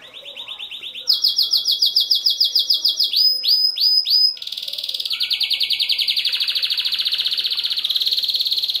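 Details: Male canary singing to stimulate females for mating: high, fast trills in successive tours, a pulsed rolling phrase, then sharp swooping notes and a long, even, buzzy trill.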